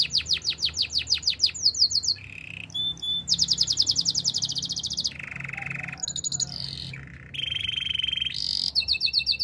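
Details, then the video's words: Training song of a canary, a long varied sequence: fast repeated whistled sweeps, dense high rattles, low rolling trills and short pure notes alternating with hardly a pause. "The best melodies canary singing"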